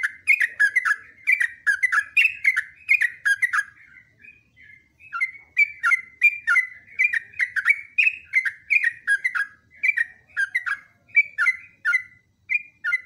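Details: Over thirteen seconds a yellow-vented bulbul pours out an almost unbroken stream of quick, falling whistled notes with a brief softer lull near the middle; part of a long training recording.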